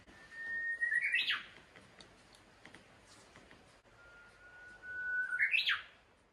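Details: On the shore of Lake Toya near sunset on 28 June, a Japanese bush warbler sings its quirky, unusual phrasing twice. Each phrase is a sustained whistled note that ends in a sharp, looping flourish. The background is quiet.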